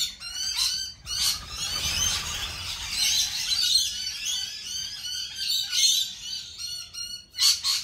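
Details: Lorikeets at a lorikeet cafe give a dense chorus of shrill, screechy chatter and squawks, many birds calling at once with repeated harsh bursts throughout.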